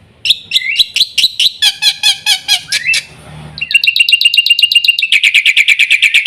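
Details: Black-winged myna song: rising chattering notes give way to a harsher, rasping passage. A rapid, buzzy trill of pulsed notes follows.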